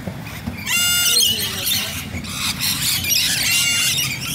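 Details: Rainbow lorikeets in Bonnyrigg. After a quieter start, loud harsh rising screeches burst out, followed by overlapping squawks and chatter from the group.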